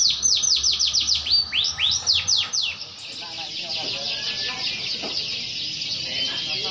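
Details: White canary giving a brief burst of rapid high trills and downslurred notes, which fades into a steady background hiss.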